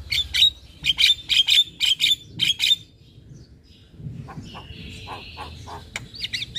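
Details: Javan myna master song for young birds: eight loud, sharp, high chattering notes in a quick run, a pause, then softer rasps and a drawn-out high note with faint twitters.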